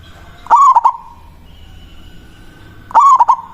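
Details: Local zebra dove giving its manggung song to challenge a rival: two loud cooing phrases of rapid stuttered notes, about two and a half seconds apart, with a faint steady tone between them.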